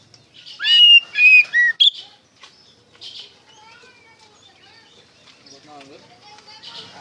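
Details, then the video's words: White-rumped shama (kacer), 'ngeplong' lure song; a short burst of loud whistled and harsh notes at the start, then only faint soft twittering. "PANCINGAN SUARA KACER NGEPLONG GACOR DIJAMIN NYAUT KACER BAHAN"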